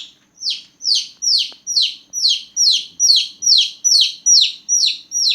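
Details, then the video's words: Loud night-time chirping of small newborn chicks: a run of about eleven piercing, falling peeps, each sweeping from high to lower pitch, repeated steadily at a little over two per second. "Chicks Chirping Sound || Chicks Chirping Loudly || Chicks Chirping a lot"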